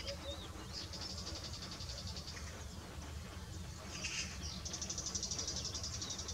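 A lesser grey shrike gives high, rapid chattering and trilled notes, about four a second, over a steady low rumble of wind.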